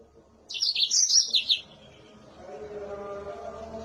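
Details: Mozambique canary with a shrill, sharp voice giving a one-second burst of high twittering chirps, followed by low background hum.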